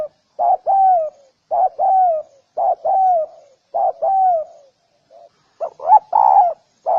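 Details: Low, mellow cooing of a spotted dove, about six phrases in which a brief note is followed by a drawn-out downslurred coo, given roughly once a second in a quiet background.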